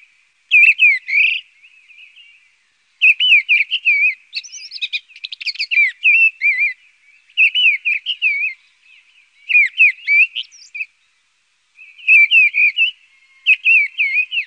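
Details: Mistle thrush song: loud fluted whistled phrases of several quick warbling notes, delivered in bursts separated by pauses of about one to two seconds, some phrases with thinner higher squeaky notes mixed in; quiet background.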